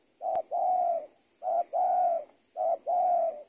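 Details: Spotted dove coo used as tutoring audio for training birds: three low, mellow two-part coos, a short note followed by a longer drawn-out one, repeated about every 1.2 seconds with a faint steady high hiss behind.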